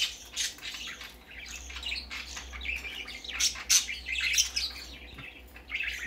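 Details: Baby parakeet going out for the first time, keeping up a busy stream of high chirps and scratchy squeaks, growing louder past the midpoint, indoors with little other noise.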